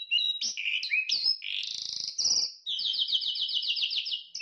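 A songbird's lively, varied song: quick whistles and buzzy warbles, then a fast run of rising notes repeated about six times a second. No other sounds.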